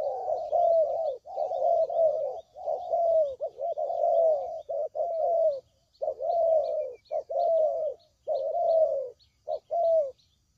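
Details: Spotted dove calling, used for luring birds into traps: dense low cooing phrases early, thinning into spaced single and paired coos, with light high-pitched chirps in the background.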